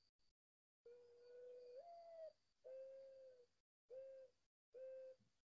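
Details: Mourning Dove in a Northern Virginia backyard gives low, hollow coos: a long note swelling upward, then three steady shorter coos about a second apart, over a faint high electronic hum. These doves start singing in early spring, sometimes even in winter.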